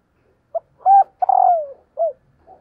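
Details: Spotted dove hen calling to rouse males: a brief note, a loud hollow coo, then a drawn-out descending coo and a short ending coo, clean and close.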